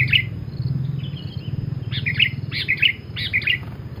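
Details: Lively sooty-headed bulbul, its song used as a lure for trapping wild birds, giving short bubbly chirped phrases, four clusters in about four seconds, over a steady low rumble.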